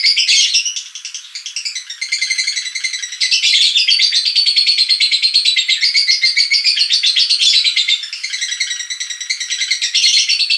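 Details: Ngekek lure call of a lovebird: long run of fast, harsh, trilling chatter, roughly three notes a second, briefly softer near the two-second and eight-second marks, then resuming at full strength; nothing else audible.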